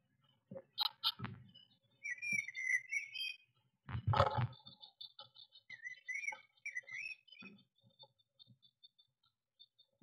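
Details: Eurasian blue tit inside a garden nest box on 22 May 2021, during a cat attack, picked up by an in-box camera: thin wavering notes and high faint tones, broken by loud knocks, thuds and scrapes against the box.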